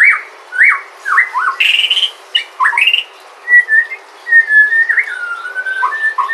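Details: Sumatran White-rumped shama, song played to make other shamas sing: varied looping, upslurred and downslurred whistles separated by short pauses, ending in a flatter, wavering whistled phrase.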